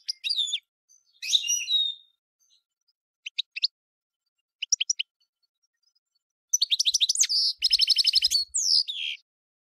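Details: European goldfinch song: scattered twittering and tinkling notes, short pauses, then a dense rapid burst of buzzy trills near the end.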